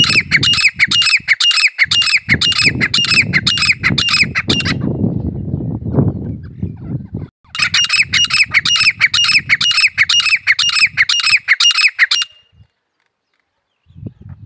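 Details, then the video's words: Desi teetar, the grey francolin, calling in two long bursts of harsh, grating notes repeated in a rapid rhythmic chain, broken by a pause filled with low rumbling noise and handling sounds. "teetar ki awaz desi teetar ki awaz grey francolin voice"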